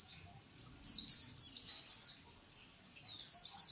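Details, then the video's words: High-pitched twittering song from a kept white-eye (pleci): rapid runs of sharp, descending chirps in a continuous burst, a pause, then another short burst of tumbling notes. "My pleci bird"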